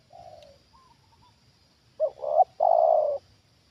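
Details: Trained decoy Spotted dove reacting as a wild bird is lured down for the second time: a faint soft coo, then a loud stuttered double note and a long, rough, drawn-out coo.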